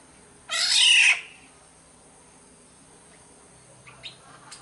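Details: Black-naped oriole from Sumbawa as a lure call: one rough, mewing squawk at the start, then faint scattered chirps in the background.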